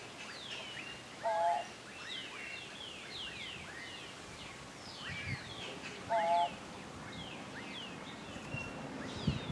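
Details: A turquoise-browed motmot calling from a branch in Guanacaste, Costa Rica, March 2023, gives two short, low, nasal calls about five seconds apart over a busy chorus of thin, descending chirps from other birds.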